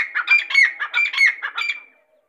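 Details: Irani teetar, the grey francolin, gives a fast series of loud, raspy, chattering notes, about six in under two seconds, that ends abruptly and is followed by silence.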